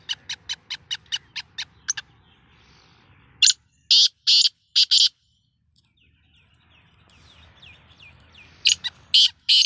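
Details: Black francolin, a pet bird, in a beginner caller's first try: four loud, harsh, clipped notes in quick succession, preceded by a rapid, evenly spaced run of sharp ticking clicks, with later ticks and another burst of harsh notes.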